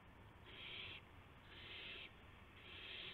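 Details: Early morning at an owl nest, 5:50 AM on March 26 2016, with gopher and mouse prey arriving. Three long, even, breathy hisses, each about half a second, spaced about a second apart.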